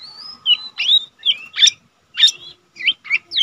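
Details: A Lesser green leafbird (Chloropsis cyanopogon), a kept bird said to sing diligently, sings a lively run of short, high whistles and chattering notes, some sliding, in quick bursts with brief pauses, over a faint steady hum.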